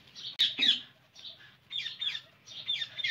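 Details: Indian ringneck parakeet making harsh, grating squawks in clusters of two or three, with a sharp click near the start and a faint low hum behind.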